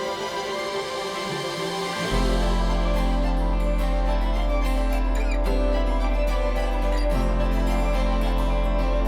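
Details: Plucked, harpsichord-like instrumental music with a strong steady low bass note entering after two seconds, repeating rhythmic figures and no animal sounds.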